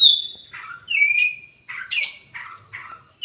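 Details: Kacer, the oriental magpie-robin, delivering a held whistle then alternating harsh squawky notes and lower buzzy phrases in a loud, choppy sequence.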